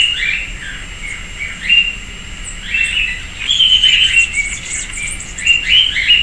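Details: Sayaca tanager at a persimmon tree in a residential backyard in Piracicaba, São Paulo, Brazil, giving rapid squeaky upslurred chirps in quick runs, mixed with high twittering notes and a constant thin background tone.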